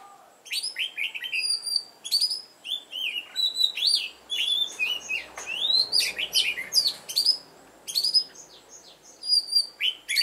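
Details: Red-whiskered bulbul lure bird with a mountain-forest voice, singing to provoke rivals into fighting song: bright whistled phrases of rising and falling slurred notes in quick bursts, some sharp high upsweeps, steady through ten seconds.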